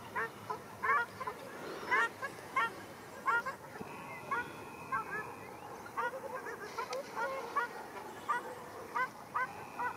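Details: At Arucas, Gran Canaria, on 13 February 2021, quarrelling ruddy shelducks utter clear, nasal honks. The calls come singly or in pairs about once a second throughout, with quiet gaps between them.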